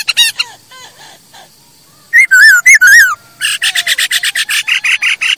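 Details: Song of a masked laughingthrush, used for training birds to sing: soft whistled notes, then a loud pair of wavering whistles, followed by a long rapid harsh chatter repeated many times.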